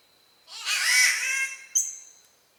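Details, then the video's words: Spotted catbird, an Australian bowerbird relative, giving a single drawn-out harsh, cat-like wail lasting about a second, rising then sagging, followed by a short sharp high note, with a faint steady high tone behind. "The weird sounds of Catbirds"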